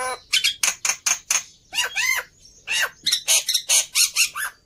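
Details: Fighter Black-winged myna in heightened agitation, a model bird for mute starlings, repeating harsh squawking notes about once or twice a second with brief rasping bursts between.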